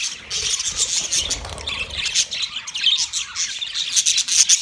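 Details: A yellow male budgerigar chirps in what is called a mating sound; warbling high chatter with scratchy squawks and brief clear peeps, several birds calling together.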